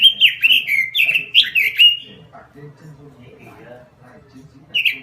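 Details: Frequent-singing robin delivering about two seconds of rapid, looping, warbled notes, then near quiet with low murmuring background, before a brief fresh warble at the end.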